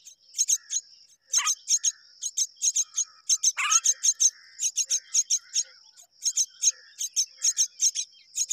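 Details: Myna pair rearing their young together: rapid harsh high chirps repeated in quick runs, broken by a couple of louder rasping downward notes, over a steady thin high whine.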